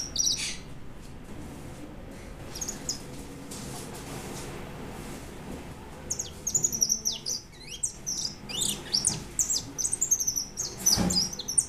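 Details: White European goldfinch singing indoors: after a quiet start, rapid twittering bursts of high, thin chirps and trills from about six seconds on, with a faint sharp knock near the end.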